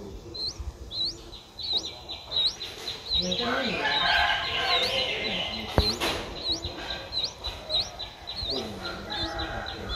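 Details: Seven-day-old streak-eared bulbul nestling, eyes newly open, recorded in Ubon Ratchathani, Thailand, 9 April 2023; rapid series of thin rising squeaks, roughly one and a half per second, interrupted midway by louder rustling and a sharp click.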